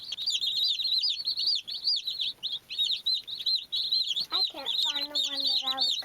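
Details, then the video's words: Baby chicks playing, a crowd of them peeping nonstop in high, rapid, arched cheeps that overlap, with a lower drawn-out note near the end. "Beautiful Baby Chicks Chirping Sounds"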